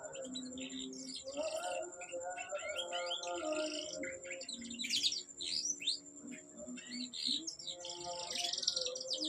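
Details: Canary singing sweetly: quiet stream of fast trills, chirps and warbled rolls, with low sustained tones like soft music underneath and a thin steady high whine throughout.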